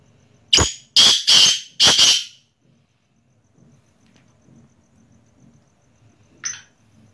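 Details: Kala teetar, the black francolin, calling: a harsh, scratchy series of four loud notes over roughly two seconds, first clipped then longer and grating, with quiet background and a single short note a few seconds later.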